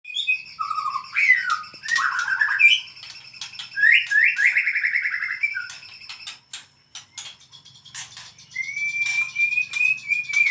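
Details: A white-rumped shama sings in a frenzied, excited state: loud whistled phrases sweep up and down, mixed with rapid chattering trills and a long rising whistle near the end.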